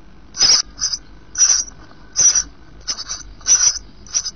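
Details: Sparrow nestlings about eight days old, three surviving of five, just starting to show down, on a nest webcam, beg in harsh, high, hissing chatters, about seven short bursts in four seconds; no other sounds.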